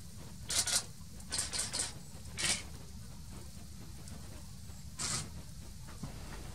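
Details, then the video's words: Great spotted woodpecker in Hoge Veluwe park, Netherlands, 18 July 2018: sharp, harsh 'kik' notes, single or in quick pairs or triplets, spaced irregularly over a low background rumble. "GREAT SPOTTED WOODPECKER / GROTE BONTE SPECHT"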